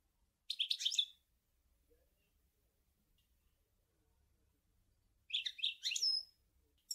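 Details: European goldfinch in the sour el gouzlane song style: two short, bright twittering bursts separated by about four seconds of near silence.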